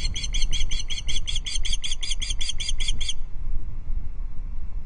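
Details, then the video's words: Female Osprey on a nest-side perch at Loch Arkaig giving alarm calls at an intruder osprey, evening of 5 August 2022, nest camera. About fourteen quick, piercing whistled notes over three seconds, over low wind rumble. "Intruder Osprey caught on Loch Arkaig Osprey nest cam: Dorcha alarm calls from the perch"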